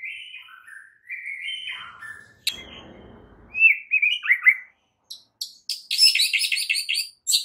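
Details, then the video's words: White-rumped shama singing a morning training song to spur other shamas on: drawn-out rising and falling whistles, a sharp click, slurred notes, then a loud scratchy chattering burst at the end. "MASTERAN Murai Batu PAGI INI mampu buat Murai Batu MACET TOTAL jadi GACOR NGAMUK seketika"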